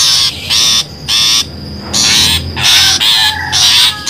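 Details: Trapping lure of long-tailed shrike calls: rough, grating bursts, some short and some drawn out to nearly a second, separated by short pauses, over a faint steady high tone.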